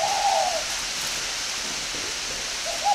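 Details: Spotted dove, a northern Vietnamese bird kept at a breeding aviary near Hanoi, with a short slurred coo phrase at the start and the next one just starting at the end, against steady hiss.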